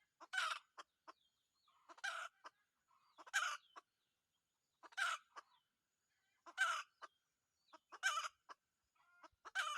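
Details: Wild red junglefowl rooster lured with a decoy bird: loud rasping bursts roughly every one and a half seconds, each trailed by quick dry clicks and clucks, quiet in between.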